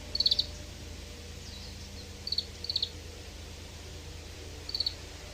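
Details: Oriental greenfinch calls: brief, bright trilled bursts of three to six rapid notes, heard four times at uneven intervals against a constant background hiss.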